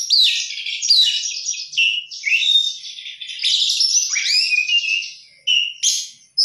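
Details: Kacer (oriental magpie-robin) singing a lively isian-rich gacor phrase: a run of chattering buzzy notes and upslurred whistles, then brief sharp clipped notes after a pause.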